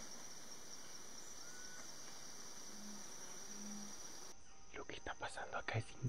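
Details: Red-ruffed fruitcrow (yacutoro, Pyroderus scutatus) at a lek in Misiones forest, Yabotí Biosphere, morning: two deep booming hoots over insect drone; about nine males vocalizing together, throats inflating in courtship display; a man's excited voice follows.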